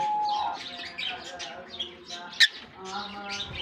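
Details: In a German colony aviary, newly released lovebirds keep up soft, high chirping chatter. A brief steady whistle opens and one short sharp click follows later.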